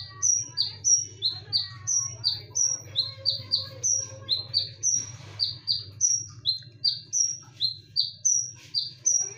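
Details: Loud, sharp konin lure song in continuous rapid bursts: piercing high notes that each drop quickly in pitch, about three per second, alternating high and lower tones with barely a pause, over a steady low hum.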